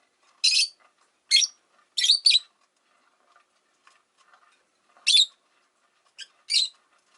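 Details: Five caged Rosy-faced lovebirds kept by a window, giving sharp high chirps in short bursts, some paired in quick doubles, separated by pauses of about a second and faint background room noise.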